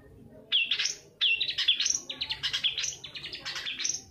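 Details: Long-tailed shrike lure song to prompt silent birds into singing. After a quiet start, urgent scratchy chatter rushes in, then a string of rapid clipped chirps runs to the end, high and harsh.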